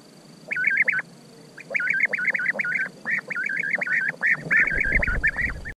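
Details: A near-continuous stream of rolling, burry European bee-eater calls, several overlapping, suggesting more than one bird; low rumbling noise rises near the end.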